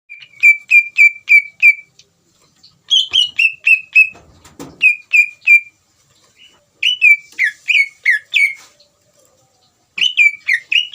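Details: Greater green leafbird singing energetically to provoke another leafbird into answering. Bright, clear whistled notes come in rapid bursts of five to seven, with short pauses between phrases and a brief low thump in the middle.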